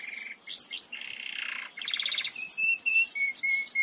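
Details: Belgian canary singing, a recording meant to teach other canaries to sing: steady whistled notes and quick upward sweeps, a dense buzzy roll, a pulsed trill, then bright short notes repeated about four times a second.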